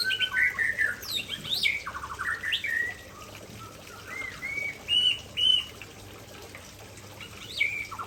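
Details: White-rumped shama of the Aceh type pouring out its favourite isian (learned fill-in phrases): loud varied whistles, sweeping slurred notes and short rattling trills in quick bursts, with brief pauses between phrases.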